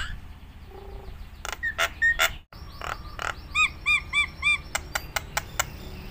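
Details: Nias hill myna singing a rich, varied repertoire meant for prompting other mynas: scattered whistles and sharp clicks, then a steady run of repeated arched, ringing notes about four per second, with clicks closing.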